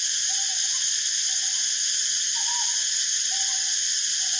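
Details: Northern Boobook, subspecies Ninox japonica totogo, while foraging and preening; soft mid-pitched hoots come in short pairs about once a second, the second note slightly higher, beneath a loud, steady high-pitched hiss.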